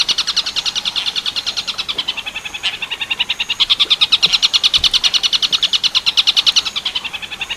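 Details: Master recording of a long-tailed shrike in tengkek buto style, meant for training other birds: a long, rapid rattle of piercing notes, about eight per second, fairly even in pace.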